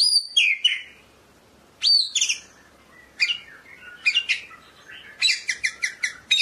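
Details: White-rumped shama, the type known as murai medan, singing: sharp high downslurred whistles and squeaky notes in short bursts, pauses between phrases, then a quick run of clipped chips near the end; no other sounds.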